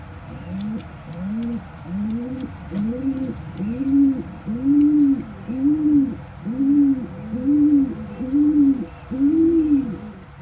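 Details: Kept pigeons, a parent regurgitating crop milk with food into the mouth of a tiny, helpless squab; a steady run of about twelve low, rounded rise-and-fall notes, each under a second, coming roughly once per second.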